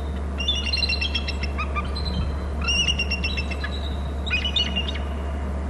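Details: Bald eagles at a nest and territory on Hornby Island calling before both fly off on a chase: high thin chittering whistles in three bursts, over a strong steady low hum.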